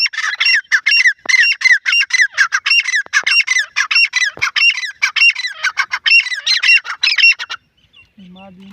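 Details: Loud grey francolin (teetar) call, a rapid run of harsh, ringing squawks repeated almost twice per second for over seven seconds, then stopping abruptly into near silence with a faint low hum.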